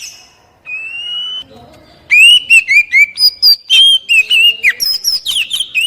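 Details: Oriental magpie-robin song played so captive birds start singing: two long steady whistles, then a fast run of varied sweet whistled notes and chirps, some sliding up and down, repeated rapidly.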